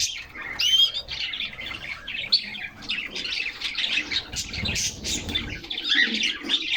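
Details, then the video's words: Caged canaries singing and playing on a summer day, recorded close by with a fixed camera inside the cage; busy, high-pitched twittering with sharp chirps and a few louder squeaky notes among overlapping song. "Canaries Singing and Playing in Their Cage"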